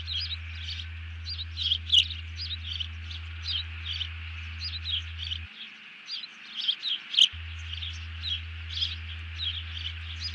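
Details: After seizing a fish, a bald eagle gives an alert on 31 July 2020 as another eagle ducks down. Thin, high chittering notes come in loose runs, with a couple of sharp clicks and a steady background hum.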